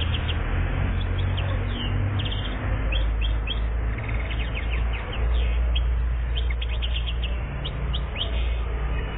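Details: European goldfinch, one year old, from Algeria in 2014, singing a steady run of quick, thin twittering notes throughout, set against a loud low hum and rumble.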